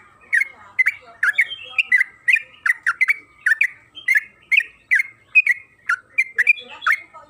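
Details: Trucukan kebo, the yellow-vented bulbul, used as a singing lure: a fast, continuous run of warbled, slurred notes with a bubbling, chattering quality, barely pausing.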